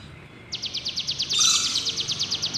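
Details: Sunda warbler (mountain ciblek) singing: after a quiet start, a fast, even trill of high, thin notes, about twelve to a second, steady in pitch and continuing to the end.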